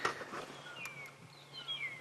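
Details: Faint magpie (long-tailed) shrikes at sunrise on an August winter safari trade clear, fluty whistles that slide downward, overlapping in the distance, probably a territorial dispute between them; a brief rustle at the start and a low background hum.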